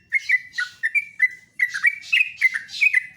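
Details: Yellow-vented bulbul (trucuk) singing in the morning, a bird praised for its loud, booming voice: a continuous run of bubbly, chirping notes in quick short phrases, with sharp accents rising and falling over a steady middle pitch.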